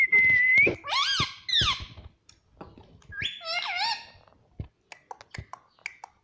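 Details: Pet talking parrot indoors producing a run of varied voice-like calls: a level whistle, bent harmonic squawks and wavering tones, followed by scattered short clicks and ticks.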